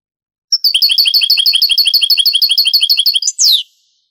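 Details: European goldfinch, Granada style of Andalusian song, on a 1980s-90s Spanish tape later digitized: quick repeated high notes run together in an even trill for almost three seconds, then one bold falling note ends the phrase.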